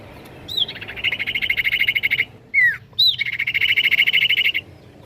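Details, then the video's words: Common iora singing to stimulate replies from other ioras: a sharp falling whistle opens a long, fast, even trill, followed by a quick downslurred whistle, a rising note, and another extended rapid trill. "Burung Cipoh Pasti nyaut dengar ini!"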